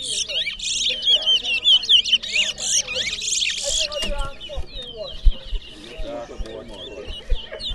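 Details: Towa towa (large-billed seed finch) contestant at a Berbice singing competition delivering a dense run of high whistles and warbled notes, fading after four seconds into scattered chirps with people talking in the background.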